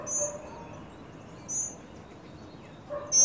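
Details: Tropical mockingbird family, adults with young, feeding together at a birdfeeder in Trinidad on a sunny day; three short, harsh, high-pitched notes, the last one clipped at the very end, over quiet background hiss.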